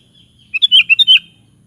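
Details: Bubbly song phrase of a sooty-headed bulbul, six fast liquid notes rolling up and down within about two-thirds of a second, with faint low background hum.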